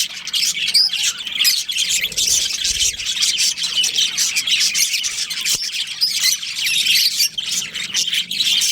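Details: Budgie colony with a breeding pair: many overlapping high, buzzy chirps and warbling chatter run throughout, with a short low thump near the middle.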